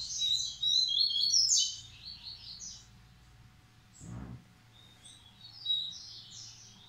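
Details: Breeding male double-collared seedeater kept by a Brazilian breeder, Massai versus Bahian song styles; fast, high, chattering warble early on, then softer scattered notes, one dull low thump midway, steady faint background hum.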